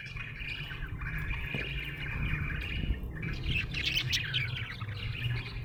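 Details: A happy budgerigar gives a soft, continuous warbling chirp that grows busier in the second half, partly masked by a strong low rumbling background.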